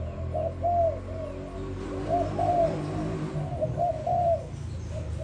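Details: Selected young Malaysian-type spotted dove, about five days since purchase, repeats soft low coo phrases of paired notes, with a steady background hum beneath.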